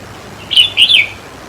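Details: A single quick, slurred, chirpy warble from a red-whiskered bulbul, played to stir up caged birds. It falls in two close bursts lasting about half a second, over a quiet background.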